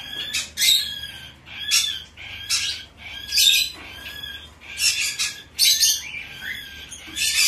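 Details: Bourke's parrot chick, hand-tame, in Fukuoka, Japan, recorded 10 September 2024, repeats harsh, scratchy squawks about every second in a steady run, sometimes doubling them.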